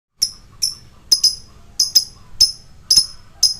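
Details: Lovebird lure recording used to provoke fighter birds: sharp, high chirps repeated at uneven intervals of about half a second, some doubled, over a faint low hum.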